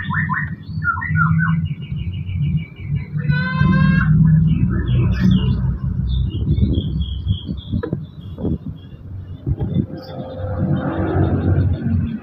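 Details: A young, apparently male white-rumped shama (Copsychus malabaricus), long-tailed, from champion parents and hatched 22 August 2022, gives varied whistled phrases and quick trills over a heavy, low rumble.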